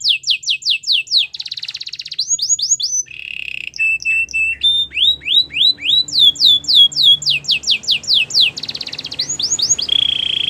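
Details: Belgian canary singing a varied song of rapid series of bright downslurred notes, a buzzy rolling trill, and a level ringing tone, each phrase repeated several times before switching.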